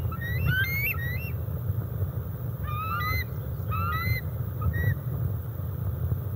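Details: Juvenile bald eagles over 17 weeks old, together near Decorah North on July 27, 2021, on an eagle cam; short groups of thin, high, rising whistled chirps every second or so, against constant low rumbling background noise.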